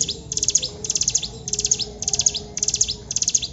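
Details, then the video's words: Hill prinia in active song with long 'tembakan panjang' shots: six evenly spaced bursts of very high, fast ticking notes, each sliding downward, repeated roughly every half second. "CIBLEK GUNUNG GACOR TEMBAKAN PANJANG"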